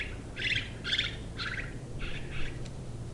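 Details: House martin chicks, two in a nest under the soffit boards of a house in South Somerset in late July 2017, being fed constantly by their parents: five buzzy, rasping chirrups in short bursts over low background rumble.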